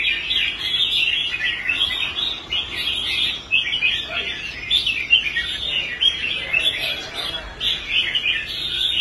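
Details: Restored caged red-whiskered bulbul, formerly quitting fights, now performing well on a competition rack. It gives a long run of quick, lilting whistled phrases, repeated in bursts with brief gaps over about nine seconds.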